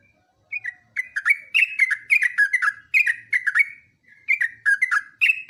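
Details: After a short silence, a yellow-vented bulbul launches into a dense run of liquid whistled notes, each dropping in pitch, repeated several per second in a lively, bubbling phrase; from a long training recording.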